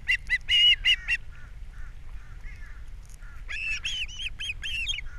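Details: Ospreys at a Captiva nest, April 3, 2022. The male arrives with fish and the female feeds the young. Loud, clipped whistles come in a burst, then fainter calls, then a second rapid volley of high chirps.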